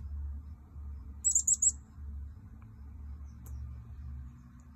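A chickadee gives three quick, very high, thin notes in a tight burst, over a steady low rumble.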